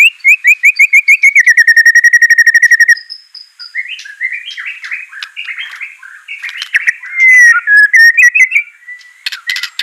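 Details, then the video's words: A white-rumped shama sings to prompt a lazy bird to sing: a rapid, even series of whistled notes that speeds into a trill, then varied warbled phrases and bright whistles. "Murai Batu Malas BUNYI Pasti LANGSUNG NYAUT NARUNG dan GACOR"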